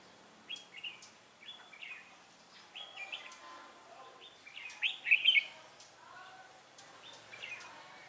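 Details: Red-whiskered bulbul decoy bird in a trap, 3 November 2018, pouring out a fighting song of short slurred, whistled and warbled phrases, repeated at irregular intervals, loudest in a rich burst midway.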